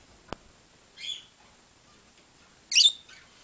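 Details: Lovebird flock calling: two shrill, harsh chirping bursts about one and a half seconds apart, the second louder and longer, followed by a faint short chirp, with a sharp click near the start over a quiet background.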